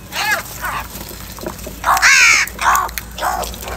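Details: Crows calling in the morning while fighting over food: several harsh, hoarse caws of varying length, some short and clipped, one longer drawn-out rasping call near the middle.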